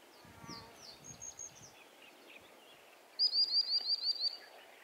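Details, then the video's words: Common sandpipers exchange thin, high piping notes: soft scattered calls first, then a loud, rapid run of about eight sharp 'swee' notes in just over a second. "Rozmowa piskliwców"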